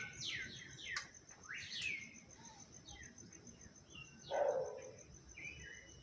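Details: Audubon's oriole (Icterus graduacauda) calling: short, scattered whistled and chattering notes, some sliding downward, over a steady high insect trill.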